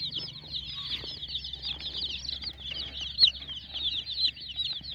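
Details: A brood of colourful hen chicks peeps continuously, high thin chirps overlapping in a busy chorus, with a few brief louder squeaks and a soft low background hum.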